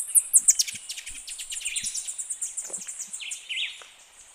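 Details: Black-crowned palm-tanager singing: sharp, very high chips that open loud, then a fast, dense chattering trill of thin notes with a few lower buzzy slurs near the end, tapering off quietly.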